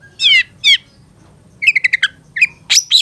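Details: Long-tailed shrike master recording: two buzzy, harmonic rasping notes, a pause, then a quick stutter of clear chirps and a final harsh, rising note.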